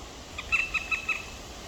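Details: Nest of two black woodpecker chicks on the evening of 23 May 2023. A quick series of four nasal, yelping notes spaced evenly in under a second, clear over a quiet background.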